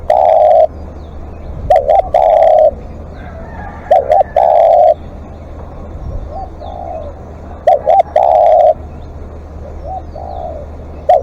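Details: Spotted dove used as a live decoy, calling at length: low mellow coos, each phrase two short clipped notes then one long steady coo, repeated about every three seconds, with faint crackling bursts alongside.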